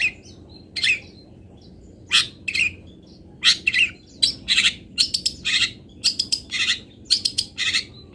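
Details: Long-tailed shrike, a local cendet, delivering fill-in song material for training other birds: scratchy, hoarse notes at uneven intervals, some paired, over a steady low hum.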